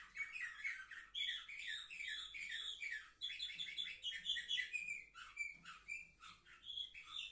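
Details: Seven-month-old Orpheus canaries, recorded 10 November 2023, sing a long, continuous warble of quick, high trills and chirpy notes that shift in pitch every second or so, with no other sounds.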